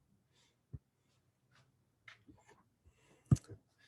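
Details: Only a low room hum, a few sharp clicks and faint rustling are heard, with no animal calling.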